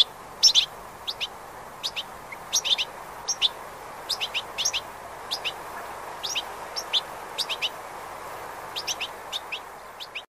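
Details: European goldfinch recorded on 20 April 2018: short bright twittering notes in small clusters, spaced irregularly about every half second, over a steady broad background hiss.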